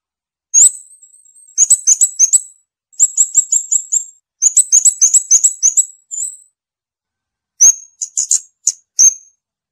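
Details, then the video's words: A scarlet-backed flowerpecker sings repeated bursts of rapid, thin, very high chips, each burst of five to eight notes, then scattered sharp ticks at the end; no background sounds. "เสียงนกชมพูสวน, นกขุนช้างขุนแผน, Scarlet-backed Flowerpecker Song."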